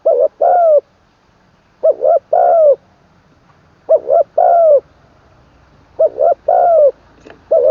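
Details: Training a spotted dove as a decoy bird, third session; full middle-voice crowing ending in kuk. Five mellow phrases of a clipped double coo plus a long falling coo, with low background rumble.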